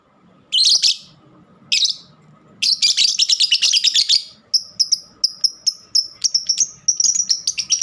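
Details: Pet lovebird giving two scratchy squawks, then an extended rapid grating chatter that breaks into a series of evenly spaced sharp high chirps; soft low hum throughout.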